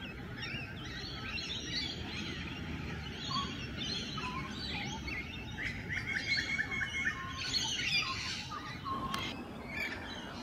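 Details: Morning in natural habitat, wild Rainbow Lorikeets courting: busy, overlapping shrill twitters and scratchy chatter, growing denser in the second half, with one sharp click-like burst near the end and a hiss of ambient noise beneath.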